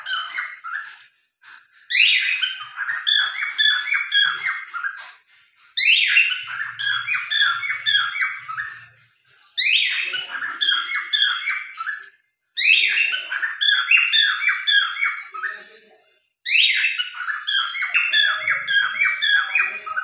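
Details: A pet cockatiel singing and dancing, in bursts of rapid, warbling whistles and chirps, each phrase lasting a few seconds.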